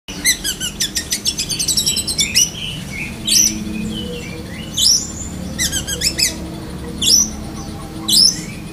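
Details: Black-breasted Oriental magpie-robin (kacer dahit) singing in lovebird-mimicking style, called besetan kapas tembak sambung: a fast run of repeated sharp high chips, then loud rising whistled swoops recurring about every one to two seconds.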